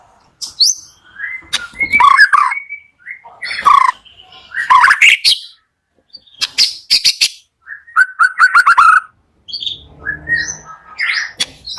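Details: White-rumped shama singing in the morning to prompt lazy shamas to sing: loud mixed phrases of clear whistles, chattering notes and harsh bursts separated by short pauses, with a series of repeated mid-pitched whistled notes late on.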